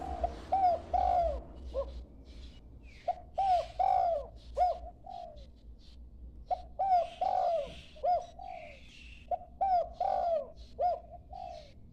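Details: Low, rounded coo phrases from a young dove still learning to call, four phrases of several arched notes each, roughly every three seconds, with soft clicks between.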